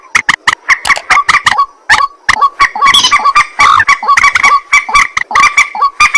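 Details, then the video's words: Dense run of harsh honking and croaking notes from a white-breasted waterhen at night, delivered rapidly and almost without pause. "ruak ruak mandar batu mp3 2 suara burung malam hari"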